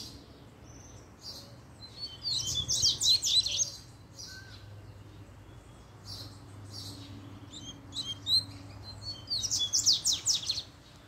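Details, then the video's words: Excited double-collared seedeater, prompted by a female's arrival, delivering two loud bursts of fast, high buzzy trills and chirps, separated by scattered soft thin notes and a steady low hum. "PUXADA DE COLEIRO 3 - A FÊMEA APARECEU O COLEIRO ENDOIDOU!!!"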